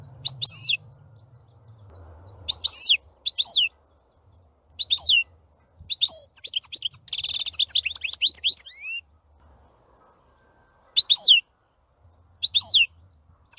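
A European goldfinch sings in quick bursts of bright, tinkling twitters and liquid trills, with a rapid buzzy rattle near the middle; otherwise quiet.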